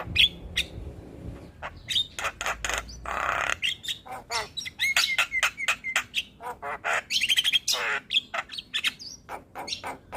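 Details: Javan myna in vigorous song meant to stir caged mynas into singing: a hissing rasp, then rapid clicks, chattering notes and squeaky whistles in an unbroken jumble.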